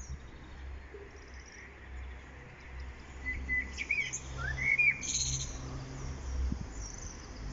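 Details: Common blackbird singing on 1 April 2021 in spring at Lanfertsweg among daffodils; a few low, fluty, warbled phrases midway, then a thin squeaky twitter, over a steady low rumble.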